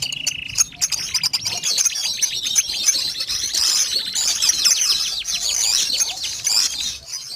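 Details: Pet canary singing: a dense, continuous warble of high, rapid trills and chirps sweeping up and down, after a short steady whistle at the start, with scattered clicks throughout.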